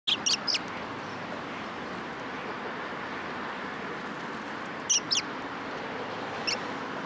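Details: Sparrows arriving to be fed at a Tenmangu shrine on 3 October 2022; brief high chirps in a quick cluster at the start, another pair near five seconds and a single chirp later, over steady broadband hiss.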